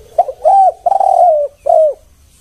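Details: A single spotted dove phrase for luring: a short clipped note, then two long, smooth, falling coos and a final drawn-out hoot.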